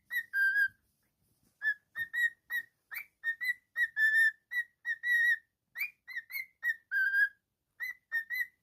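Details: Pet cockatiel whistling a string of short clear notes near one pitch, some with a slight upward flick, delivered in uneven bursts with brief pauses between phrases, indoors.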